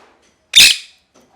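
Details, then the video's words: Parrot, described as screaming and angry, giving one single loud harsh squawk, broad and raspy, cut off quickly, in a quiet room. "Parrot Chirping Sounds | Natural Parrot Sounds | Parrot Calling Sounds"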